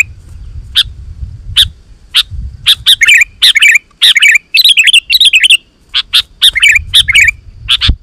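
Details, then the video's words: Sooty-headed bulbul lure song to make other bulbuls answer: spaced single chips building into dense runs of rapid bubbling, rise-and-fall notes, then back to isolated chirps, over a light low rumble. "Suara Burung KUTILANG GACOR"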